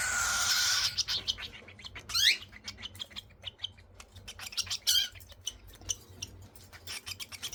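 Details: Cockatiel chicks at feeding time while being hand-fed formula milk with a spoon: a raspy, harmonic begging call opens, then a quick rising squeak and a burst of rapid clicking and short chirps, with another rasp near the end.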